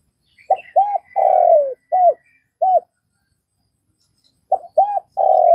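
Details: Vietnamese spotted dove cooing: a phrase of two short, hollow coos, a long drawn-out coo sliding downward, then two more clipped coos. After a pause of about two seconds the pattern starts again with quick short notes and another long falling coo.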